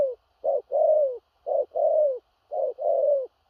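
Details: Spotted dove, loud stammering coos of the "thổ rặc" style. Three very close, forceful pairs, each a short burst then a longer falling coo, repeat about once a second.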